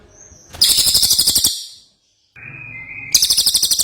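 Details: Lively ashy tailorbird: quick strings of sharp, high, trilling notes. A brief steady whistle comes before the first string, and a lower sustained whistle comes before the second.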